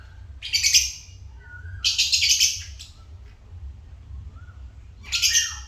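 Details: Pet African lovebirds give three bursts of loud, grating, high chirps spaced a couple of seconds apart, with faint soft whistles between them and a constant low hum underneath.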